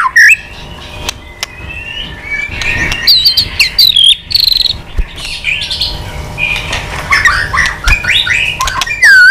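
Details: Fired-up old wild-caught white-rumped shama, flicking its tail while singing a varied song to provoke other shamas: mid-volume whistles, slurred warbles and thin high notes in an irregular flow, with steady low background hum.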